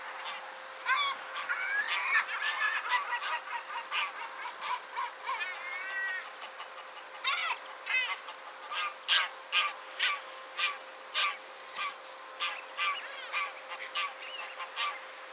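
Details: A Caspian gull in central Poland calling after chasing off another gull: a long series of loud, nasal, honking calls settling into a steady beat of about two per second, over faint steady hum.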